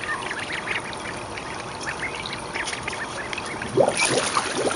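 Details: Young mallard ducklings, 29 days old, raised each spring in a school courtyard with food and a swimming area, 2012; rapid scattered high peeps, then water splashing near the end.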